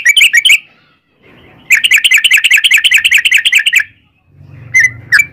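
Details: Sooty-headed bulbul singing 'ropel panjang', the long rapid song used to lure others into singing: a short burst, then a two-second run of fast buzzy repeated notes, ending with two sharp whistles over a faint hum.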